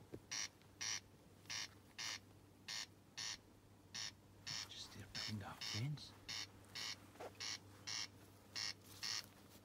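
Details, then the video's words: Corncrake calling about 15 yards from a tent at Iona campsite: harsh, rasping broadband pulses repeated roughly twice a second over a steady low hum, with a brief human voice midway. "Corncrake calling 15 yards from my tent ⛺️ at Iona campsite."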